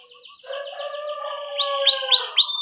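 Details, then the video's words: Young canaries are meant to learn from this canary song: soft slurred notes and sustained lower tones, then four bright upswept whistles repeated in quick succession. "Kenari Gacor CUIT Cuit Ngerol Buat MASTERAN Kenari PAUD Baru Belajar Bunyi Supaya Langsung NYAUT"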